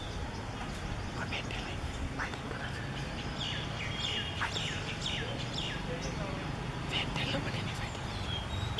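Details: Orange-headed thrush, a summer migrant nesting in south Gujarat forests, sings short, sweet whistled phrases with quick slurred notes in peak summer, repeated every second or so over a steady low rumble and faint hum.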